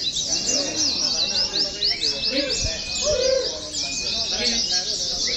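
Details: Caged Oriental white-eyes hung together for competition practice. A nonstop high twittering chorus, with a long thin whistle early on and soft rounded low notes below.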